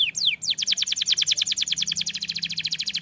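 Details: Canary singing a song said to set other canaries singing: a fast, steady trill of high, sharply descending notes, about three to four per second, after a few opening slurred whistles; low hum in the background.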